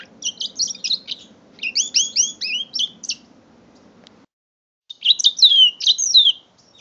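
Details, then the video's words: Five-month-old mule canary song: two bursts of rapid curved whistles and twitters, a pause near four seconds, then a brighter run of slurred notes; soft hum fades out midway. "My 5 months old mule canary"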